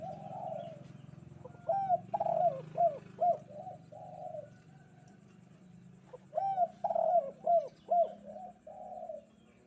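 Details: Spotted dove on a sunny morning, cooing energetically in kuk 2 style. It gives two phrases about five seconds apart, each a long soft coo followed by several short, rounded coos in quick, rhythmic succession.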